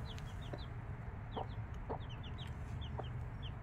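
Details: Several five-day-old chicks beside their mother hen give sharp, high peeps that slide downward, often in quick pairs. Short, low clucks break in about every half second over a steady low background hum.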